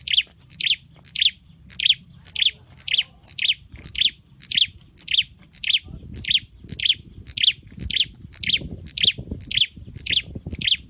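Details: Caged scarlet-headed flowerpecker in song training, chipping steadily with sharp high notes nearly twice a second for a long run, with soft low rustling in the background later on.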